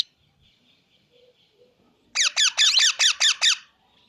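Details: Plum-headed parakeet: near-silence, then a loud run of seven sharp, high squeaky notes, each falling in pitch, delivered evenly at about two per second.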